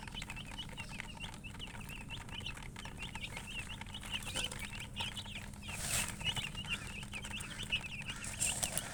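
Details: Many baby chicken chicks peeping in a steady high chorus of short downslurred chirps, with a few clicks and brief rustling bursts over low background rumble.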